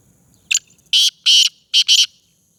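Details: Black francolin of the type called Sindhi speeder: a loud, harsh call of five grating notes, a short opening note, two longer rasping notes, then a quick pair. The background is quiet.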